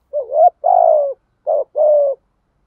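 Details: A decoy spotted dove cooing to attract wild doves: a low wavering rising note and a long falling note, then a shorter flat note and another sustained coo, all mellow and close.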